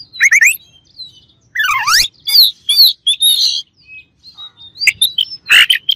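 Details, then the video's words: Rival Oriental magpie-robin song used to agitate other birds: a quick chattering burst, a sweeping downslurred whistle, then bright looping whistled notes and scratchy calls in lively succession. "KACER LAWAN AUTO EMOSI DENGER INI"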